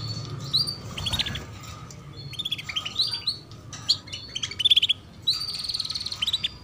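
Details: Female canary giving cuit-cuit chirps meant to coax young canaries into singing soon; repeated high rapid twittering bursts, some notes sliding down, with short gaps and a faint low rumble underneath.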